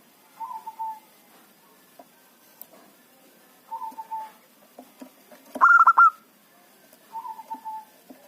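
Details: Local zebra dove used as a trapping lure: soft, low, wavering coos recur through the recording, with one loud burst of quick, clipped, ringing coo notes near the end.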